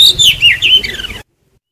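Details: Oriental magpie-robin song used to lure and trap birds and to stimulate singing: a short loud phrase of clear whistled notes sliding up and down, ending abruptly after about a second, followed by silence.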